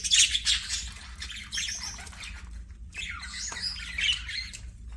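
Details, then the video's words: Budgerigars singing during play: soft, continuous scratchy warbling with squeaky notes and a few whistled phrases, fairly even in loudness throughout over a low background hum. "BUDGIES SINGING PLAYING"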